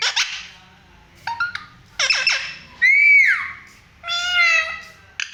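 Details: Pet parrot indoors giving varied vocalizations: rough squawks, a downward-curving whistle, and a drawn-out nasal, mewing tone, spaced out with quiet gaps.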